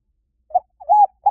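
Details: Spotted dove call used as a lure: soft, low coos, a short note, then a longer, rounder one with a slight rise and fall, then another begins; no other sounds.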